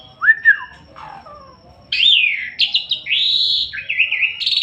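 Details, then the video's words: Asian pied starling, gacor: two short rising whistles and a descending slur, then a sustained stream of loud, buzzy, stepping whistled notes. "Burung Jalak Suren gacor"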